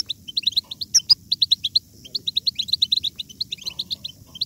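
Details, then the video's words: Goldfinch song used to urge goldfinches into strong song: a steady rapid chain of high liquid twitter notes, one loud sharp ringing note near the start, faint low rumble underneath. "بتبتة الحسون ~ بتبتة جيدة لجعل الحسون يغرد بقوة !"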